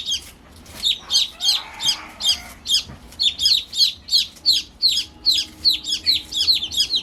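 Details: Chirping from new baby chicks, a constant stream of high, sharp peeps repeated roughly every half second, with several chicks overlapping.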